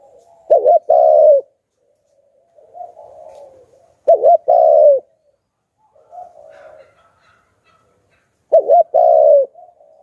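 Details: Lure spotted dove cooing in the Hạp Bổi voice: three loud two-part coos, a quick hooked note followed by a sustained rounded note, about four seconds apart, separated by faint short cooing phrases.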